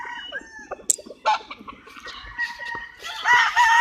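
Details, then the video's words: Chickens clucking in short choppy notes, then a rooster breaking into a loud sustained crow over the final second. "Chicken sounds, Roosters Crowing sound effects"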